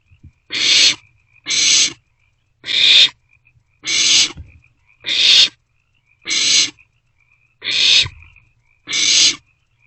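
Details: Owlets of barn owl in their box at night, 27 March 2024, passing a meal between them; eight rough broadband hisses, each short and flat, coming at a brisk regular pace with faint knocks.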